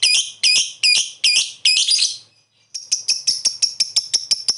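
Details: Lovebird lure recording meant to provoke a reply: five loud, harsh squawking bursts about every half second, a short gap, then a faster series of sharp shrill chips.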